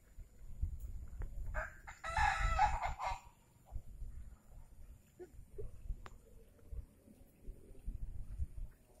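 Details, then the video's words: Crowing of a kampung village chicken, a rare-sounding rooster: one rough, broad crow lasting under two seconds, over steady low rumbling noise with a few faint clucks afterward. "Suara ayam kampung yang langka"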